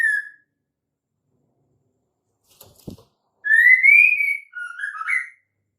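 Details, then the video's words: Female white-rumped shama lure call for males: a brief click, then a clear rising whistle followed by a lower, twisting warble, ending after about two seconds. "suara KHAS murai batu BETINA untuk Pancingan Murai jantan AGAR GACOR"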